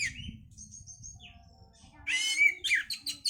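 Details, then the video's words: Oriental magpie-robin singing to stimulate breeding condition: faint thin whistles at first, then a loud harsh buzzy burst followed by quick repeated chirps. "pancingan suara Kacer untuk mendongkrak birahi"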